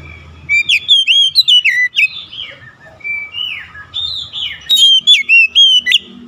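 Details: Oriental magpie-robin song used as therapy for a stressed bird. Rich, varied whistling runs continuously, with quick chirpy notes, slurred rising and falling whistles and a softer middle stretch. A bright, rapid burst of repeated notes closes the clip.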